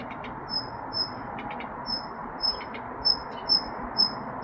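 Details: Daurian redstart (Phoenicurus auroreus), call.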